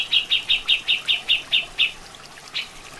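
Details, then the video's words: Grey-cheeked bulbul (cucak jenggot) in a natural masteran recording: nine loud, evenly spaced high chirps about five per second, then a brief gap and one more note, faint water behind. "Suara Asli Masteran Burung Cucak Jenggot"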